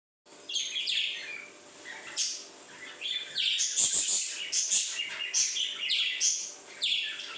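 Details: Pet parrots at home chatter happily in a busy stream of high, scratchy chirps and squeaky tweets that overlap with barely a pause. No clear words are heard.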